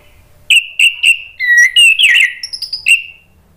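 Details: Orange-headed thrush singing as a lure for other thrushes: short whistled notes repeated, then slurred rising whistles and a scratchy tangled phrase, ending with a final clear note.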